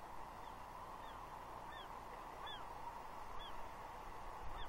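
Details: Juvenile female bald eagle at Two Harbors, Catalina, June 30, 2021, begging from her father for fish, squealing while mantling on a gnarly tree; faint downslurred squeals repeated about once a second over steady wind-like rushing.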